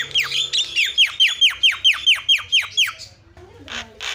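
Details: Javan myna lure sound for provoking other mynas: a rapid string of about a dozen loud, downward-sliding whistled notes, evenly spaced, then two short bursts of hiss.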